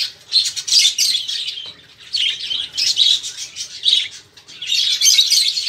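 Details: Noisy, lively budgerigar chatter meant to prompt caged songbirds to start singing; dense scratchy warbling and chirps in long loud bursts separated by brief quieter gaps.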